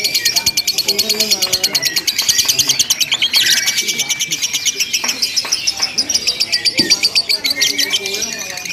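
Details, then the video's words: Contest-style lovebird ngekek, long and without breaks: fast, metallic, pulsing chatter fills the whole stretch, with a harsh burst near the middle and scattered clicks. "LOMBA LOVE BIRD TERBARU 2025 NGEKEK TANPA JEDA DURASI PANJANG"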